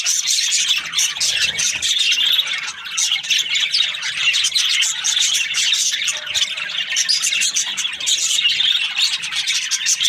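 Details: A steady aviary chorus of budgerigar breeding pairs: overlapping high twittering, scratchy chatter and clipped squawks, constant in loudness.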